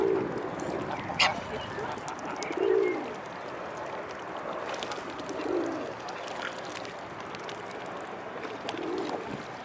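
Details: A crowd of mute swans at the Blaues Wunder on the afternoon of 25 May 2016 gives a series of short, low, hoarse snorts every two to three seconds, over constant background murmur and occasional sharp clicks.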